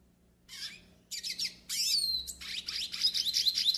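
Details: Yellow-faced siskin delivering a loud, fast string of harsh buzzy phrases and sliding whistled notes, used as a song for pairing and warming up birds.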